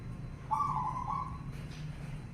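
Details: Zebra dove song used to prompt other doves to sing: a single rolling, trilled coo with harmonics, loudest at the start and tapering over about a second, over low background hum.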